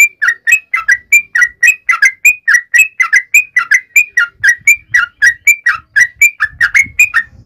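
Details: Sooty-headed bulbul calling its companions with a continuous lively series of short whistled notes, mixing downward slurs and level higher tones, with faint low rustling toward the end.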